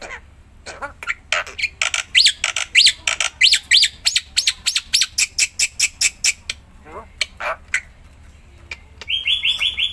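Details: A black-winged myna (Javan white starling) in full song, used to prompt quiet mynas to start singing. It gives harsh squawks and sharp sweeping notes in a steady rapid series, ending with a buzzy repeated trill.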